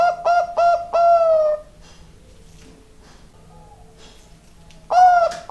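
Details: Zebra dove of the Bangkok type singing: a few quick soft coos running into a longer drawn, slightly falling note, then a pause and the phrase starting again, with faint background hum.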